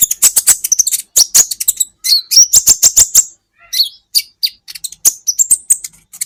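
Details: Kolibri ninja sunbird singing in a recording made to train cage songbirds: rapid, busy stream of very high, clipped chirps and short whistled slurs, with brief pauses, lively and fairly loud.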